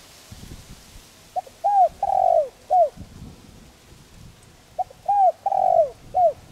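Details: Gentle calling coo of a spotted dove, played to stir decoy birds into cooing: two phrases of four low, rounded hoots with a longer falling middle note, separated by a few seconds of quiet rumbling background.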